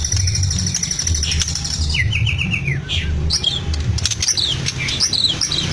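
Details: White-rumped shama from Medan, kept in a cage, singing imitations of lovebird, canary and cililin: a series of four or five falling whistled notes, then scattered high chirps and sweeps, low humming beneath.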